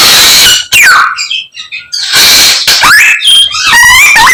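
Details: Vigorous Chinese hwamei song packed with imitations of other birds: steep falling whistles, a pause, then rising slurs and a rapid warbled trill near the end.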